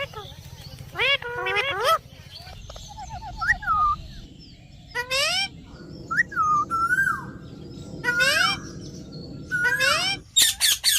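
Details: Pet parrot vocalizing: rising, bending whistles and warbled trills repeated in short phrases, with a quick stuttering series of notes and sharp squawks near the end, over a low background rumble.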